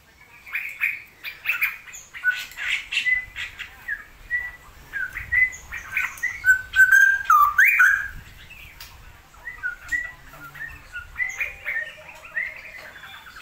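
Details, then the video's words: Cucak rowo, the straw-headed bulbul, in a still-rainy season. It gives a long run of quick chirps and short whistled slurs with a few louder fluid notes midway, mixed with scattered sharp ticks. "CUCAK ROWO GACOR/TIDAK?"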